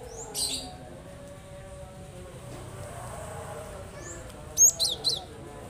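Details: Cinereous tit, a caged-bird lure recording meant to make lazy birds start singing: one soft high note early, then near the end a rapid trio of piercing whistled notes, over a low continuous drone.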